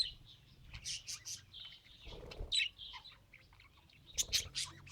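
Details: Budgerigar attempting to talk, giving rapid high warbled chirps and buzzy scratchy notes in three main bursts, separated by brief quieter gaps and soft low background rumble.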